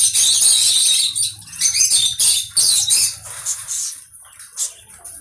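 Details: Conure calls open with intense rasping screeches that break into choppy squawks and fade to softer chirps, over a low steady hum.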